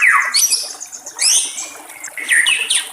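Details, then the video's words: Wild white-rumped shama with trickling water nearby, giving a short burst of varied notes: a falling whistle, sharp upslurred chips and high squeaky flourishes, uneven in rhythm. "SUARA BURUNG MURAI BATU DI ALAM LIAR"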